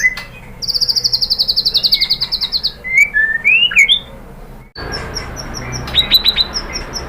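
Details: White-rumped shama singing to provoke other birds into answering: a fast, buzzy, high trill, then looping whistles that slide up and down, a short pause, and a scatter of high, thin chips.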